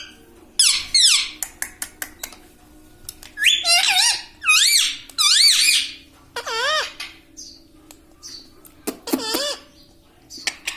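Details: Talking pet parrot indoors, known for saying 'mitthu' and 'mummy', gives scattered bursts of high, twisting, speech-like syllables between quiet spells, over a low steady room hum.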